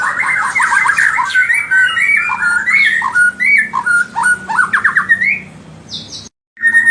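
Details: Song of a white-rumped shama, meant to make rival birds agitated: fast run of loud whistled and trilled notes, rising slurs and harsh accents, ending after a short silence with another whistled phrase.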